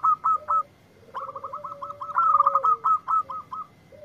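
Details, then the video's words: Local zebra dove answering a lure recording: clipped, higher cooing notes repeated in quick runs over a sustained low, drawn-out tone that slides down at its end. "Perkutut Lokal Gacor yang ND4blek langsung nyaut"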